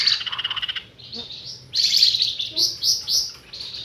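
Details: Lure call of a flamboyan bird for trapping: a quick pulsing rattle, a brief pause, then a series of rising buzzy notes repeated about every quarter second.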